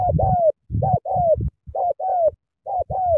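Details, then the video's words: Spotted dove from Cà Mau, Vietnam, giving excellent sắm thổ coos: rhythmic pairs of a short coo and a longer descending coo, about once a second, over low thumping. "Sắm thổ quá hăng hàng gù tuyệt vời"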